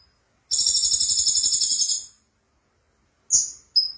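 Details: Energetic konin sunbird song in gacor style, opening with a sustained, dense, high buzzing trill, then a pause and two clipped, piercing whistled notes.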